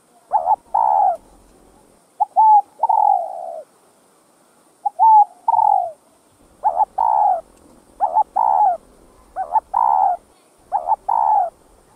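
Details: Series of spotted dove coos: clear short-long phrases with falling endings early on, followed by a rapid run of four husky paired coos with rich overtones, about one per second.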